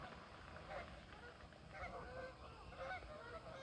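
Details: Flock of Canada geese taking flight from a pond in the evening light; overlapping nasal honks repeated roughly once a second from several birds, over a steady low rumble of background noise.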